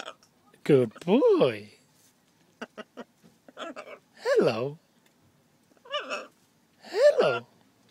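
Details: A 7.5-month-old pet blue-and-gold macaw, wearing a harness in a car on a day trip, repeatedly says a high, nasal "hello" about four times in different accents, with the pitch swooping each time. Soft clicks fall between words.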